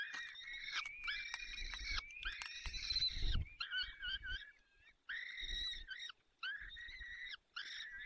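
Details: Male Peregrine falcon feeding chicks at a nest in the Barycz Valley, Poland, on 30 April 2020 around 14:28: rasping wails overlap a thin high whine, with a low bump midway, then three shorter harsh calls.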